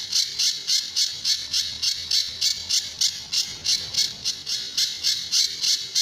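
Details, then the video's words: Sunda bush warbler delivering its tembakan and besetan song for training other birds, with a fast, fairly regular chain of scratchy, shrill bursts, roughly three and a half per second, for the whole stretch. "Burung Pijantur Gacor"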